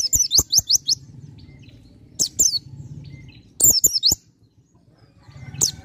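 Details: Song of a Bar-winged prinia delivered in full style: groups of three to four shrill upslurred chirps, repeated in bursts separated by short pauses, with a faint low hum behind.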